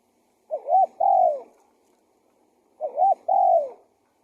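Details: Spotted dove decoy call for luring wild doves: two phrases of mellow cooing about two seconds apart, each a short rising-falling double note followed by a longer, drawn-out descending coo, in quiet surroundings.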